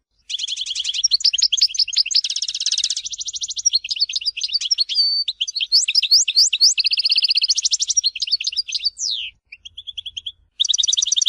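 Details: Sustained song of a European goldfinch from Tizi Ouzou, Algeria: dense tinkling twitter of trills, buzzy rattles and sliding whistles over about eleven seconds, a brief gap near the end, then more trilling.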